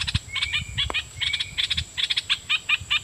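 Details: Red-whiskered bulbul kept as a decoy, calling rapidly at wild birds: uneven clipped chattering notes with two short flat whistles early on, plus low thumps and rustling underneath and a constant faint high hum.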